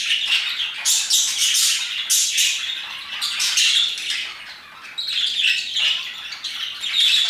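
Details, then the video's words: Several parakeets chirping and singing around 2pm, a dense overlapping chatter of bright, harsh chirps and squawks with short bursts repeating almost continuously, little pause between notes. "Parakeets chirping and singing their hearts out"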